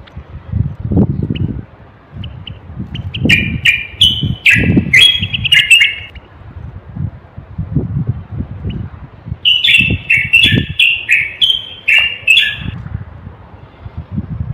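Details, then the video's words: A male common bulbul of the Moroccan type gives rich, warbling whistled phrases, then falls silent for a few seconds and gives another bubbly burst. Low thumps and background noise run throughout. The song is used to stimulate males to sing and prepare females for mating. "تغريد البلبل:أجمل وأقوى الأصوات لتحسين آداء البلابل والفراخ القافلة."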